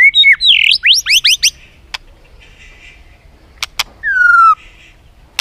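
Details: Caged white-rumped shama singing competitively: a swift series of upswept whistled notes, sharp clicks in a pause, then one long descending whistle.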